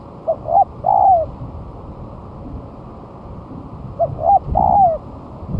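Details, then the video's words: Spotted dove used as a lure, one month after moulting and newly set down on the ground, singing vigorously: two cooing phrases, each two short hoarse notes then a longer falling coo, separated by a pause over steady low background noise. "Pancingan Suara Tekukur"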